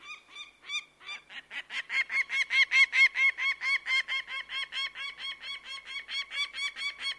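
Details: Bird of prey starting with a few spaced notes, then breaking into a fast, insistent series of nasal, ringing calls that peaks in loudness and tapers slightly.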